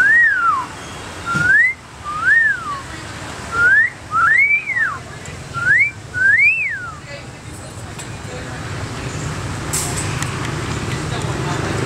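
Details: Caged common hill myna, called 'Awonghi' after one of its calls, whistling at passing girls at dusk in July 2011 at a Battambang, Cambodia restaurant: six loud rising-falling wolf-whistle notes, with traffic and voices behind.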